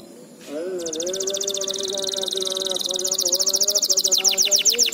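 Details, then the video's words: Canary song used as a tutor recording for young canaries: after a brief start, a loud, fast buzzy trill of rapid repeated high notes runs to the end and grows more pulsed. Steady low droning tones continue underneath throughout. "MASTERAN AMPUH COCOK BUAT KENARI PAUD JADI RAJIN GACOR NGEDOR"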